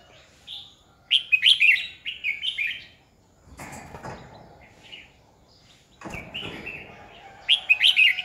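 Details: Red-whiskered bulbul serving as a training decoy in 2020 delivers quick, chattering whistled phrases, loud and slurred, twice over, with a hushed interval and low rustling noises in between.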